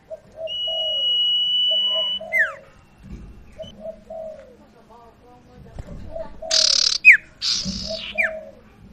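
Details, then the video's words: Sirtu used as a lure to make a non-singing bird call. Soft low coos in paired phrases recur throughout, with a steady high tone early on, bursts of hissing, and sharp falling chirps near the end. "PANCINGAN Burung SIRTU Macet BUNYI"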